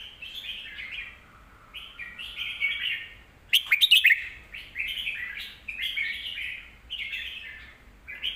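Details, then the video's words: Red-whiskered bulbul, kept caged, sings a song meant for teaching young birds; bouncy repeated warbled phrases, interrupted midway by a loud burst of sharp notes, then more rolling phrases. "นกเสียงทอง วางเพลงใต้เสียงโตๆ(ไว้สอนลูกนก)"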